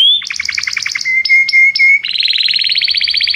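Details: Belgian canary singing: a rising whistled note, a rapid trill of downward-sweeping notes, three long flat whistles, then a fast, high, buzzy trill, all delivered without pause.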